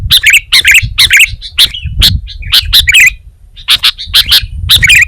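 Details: A lively sooty-headed bulbul delivering dense runs of sharp, squeaky notes and short warbled phrases, with a quiet gap near the middle, then another burst of chirps, over a faint low-pitched rumble.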